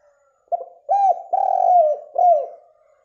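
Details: Spotted dove calling steadily in the morning as a lure for other doves: a brief soft opening note, then three loud rounded coos, the middle one long and drawn out, each dipping at the close.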